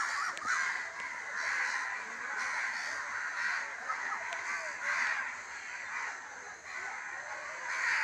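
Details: Many crows cawing together in a village at evening, a continuous harsh chorus with rhythmic bursts every second or so.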